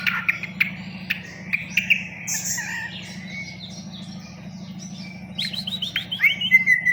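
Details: Long-tailed shrike singing a varied medley of whistles, chatters and short harsh notes, bursts rising and falling, louder toward the end, over a steady low hum.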